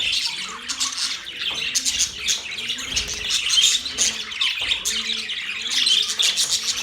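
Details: Budgerigar chatter made of rapid, raspy chirps and warbling squeaks that overlap almost without a break. It swells at about three and six seconds, with a low hum faintly audible.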